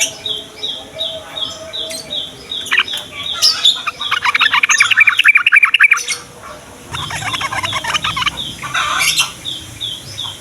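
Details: Yellow-vented bulbul in morning song, played to coax young males and females into singing: a burst of rapid, dense, buzzy chattering notes mid-way, with further chatter later, against a constant, regularly pulsing high tone.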